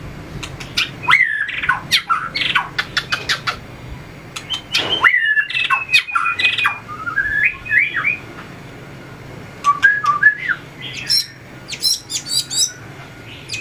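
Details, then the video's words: Caged white-rumped shama singing while tail-flicking and hopping: sharp snapping clicks, then slurred whistled phrases and a descending warble, pauses, and a final burst of high chattering notes. "luyện chòe lửa hót đấu,đập đuôi chạy cầu | murai batu"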